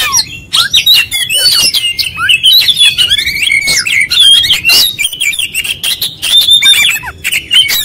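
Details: Oriental magpie-robin singing nonstop through a long, dense stretch: rapid runs of varied whistles, buzzy squeaks and harsh notes that tumble together with barely any pause, loud and high-pitched throughout.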